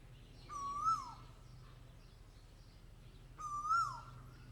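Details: Two loud, clear Asian koel calls, each a single note climbing in pitch before falling off abruptly, separated by under three seconds of quiet with a soft low hum.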